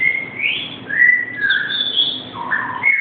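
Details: A pet black-capped lory, calling to be taken out, gives a run of clear, varied whistles, some rising, some level, about one a second, indoors with little else heard.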